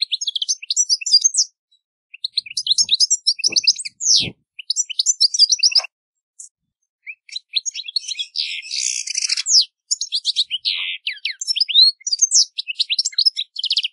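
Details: European goldfinch (Carduelis carduelis) singing in nature: a fast, tinkling run of high twittering notes and quick upslurred chirps in bursts, with a brief buzzy, rasping phrase near the middle and a few short pauses.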